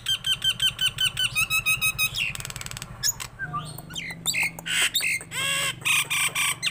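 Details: Tame Nias hill myna pouring out rapid rattling clicks and trills, then a jumble of harsh squawks, rasps and looping whistles, with a low hum underneath.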